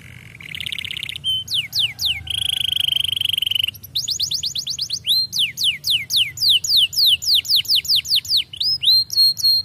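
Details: Canary singing vigorously (gacor): a high buzzy burst, then a long steady whistled note, then rapid runs of descending whistled sweeps repeated several times a second.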